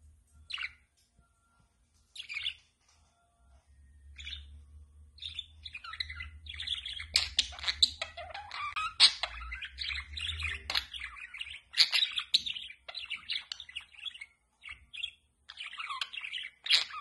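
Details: Budgerigar; chatter; expressing happiness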